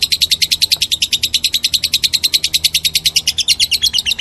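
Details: Lovebird chattering in rapid, harsh high chirps, more than three per second, a dense unbroken string that shifts slightly in pitch toward the end, over a quiet low background hum.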